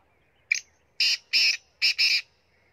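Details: Black francolin (kala teetar) from Punjab giving a harsh, grating phrase: a short opening note followed by four loud rasping notes, the last two closely paired, over a quiet background.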